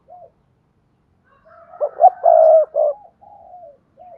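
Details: Spotted dove call played to urge other doves to coo: after a brief soft coo, a loud phrase of clipped notes builds to a long held coo and ends on a short note, followed by quieter answering coos.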